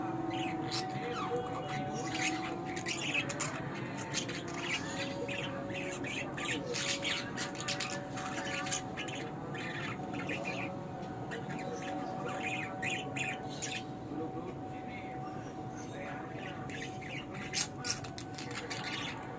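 Young budgerigars chirp and squawk in a busy, overlapping chatter, with a faint steady hum beneath.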